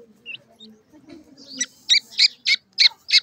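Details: Grey francolin chicks feeding, giving sharp high chirps repeated about every third of a second that grow louder toward the end, after soft low murmuring sounds.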